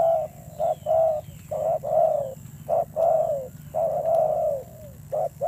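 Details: Wild-caught spotted dove giving a fierce-toned call: mellow low coos, a short note followed by a longer drawn-out one, repeated about once a second in pairs, over a faint steady high whine and low background rumble.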